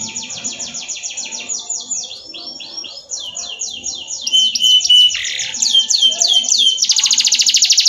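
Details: Canary singing a master training song, with rapid rolling trills, looping slurred whistles, a brief pure tone, and a final loud buzzy rattle.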